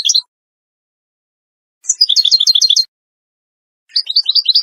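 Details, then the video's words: Tutoring song for young birds from a Moroccan Wedani European goldfinch: a short chirp, then a second-long run of rapid, tinkling twitters, and a later burst of higher trills after a pause. "مقطع لتغريد الحسون الويداني المغربي لتلقين الفراخ"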